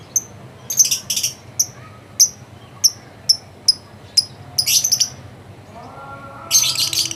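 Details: Presidential cup winning lovebird in competition uttering a series of sharp, piercing high chips roughly every half second, broken by rougher chattering bursts, ending in a dense harsh burst.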